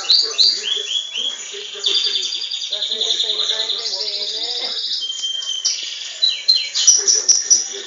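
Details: Caged Belgian canary: three rising whistled slurs, then a long buzzy high trill, a pure steady whistle, and a burst of rapid descending notes at the end.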